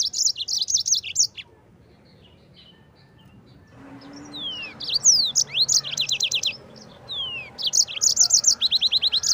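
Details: Yellow-fronted canary in 'gacor ngerol' song, recorded for training Oriental white-eyes: a fast twittering phrase, a pause, then long strings of sweeping whistles and rapid, evenly repeated high notes running almost without a break.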